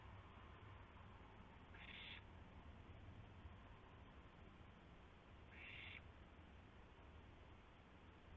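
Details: Shortly after midnight on April 7, 2016, an owl during a gopher delivery utters two short, noisy hissing bursts nearly four seconds apart, with a low rumbling background throughout.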